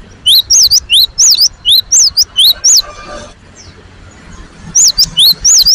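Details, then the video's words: Cinereous tit (gelatik batu) delivering a long run of about ten rapid, high, up-and-down whistled notes, then a pause and a further burst of similar whistles. "GELATIK BATU GACOR ?? SUARA BURUNG GELATIK AMPUH NGOTOT emosi"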